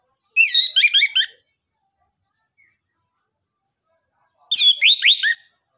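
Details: Two dense bursts of orange-headed thrush song, each under a second, packed with fast, warbling, looping whistles at high pitch, separated by about three seconds of silence; used as a lure for quiet birds.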